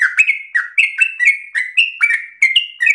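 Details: Yellow-vented bulbul in energetic 'gacor' song for other bulbuls to copy: loud, rich warbled notes sliding up and down, roughly three each second.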